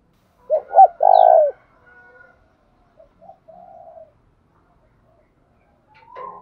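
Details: A single loud spotted dove phrase from a decoy bird calling in the morning to provoke males: two short low notes then a sustained coo, followed by a faint softer coo and a brief distant call near the end.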